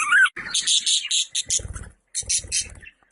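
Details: Budgerigar chatter of bright, buzzy high notes in two long bursts split by a pause, with some low thumping noise underneath.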